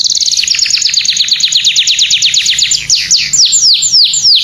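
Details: Domestic canary tutor song in gacor style: a long run of rapid downslurred notes that gradually slows into widely spaced, sweeping swoops.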